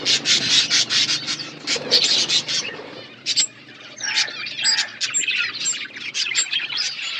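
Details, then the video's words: Budgerigars in a colony setup, chirping together: dense, rapid high chirps and short buzzy notes overlap in bursts, with scattered clear whistled notes in the second half and a faint low hum beneath. "Budgies colony setup birds chirping sound"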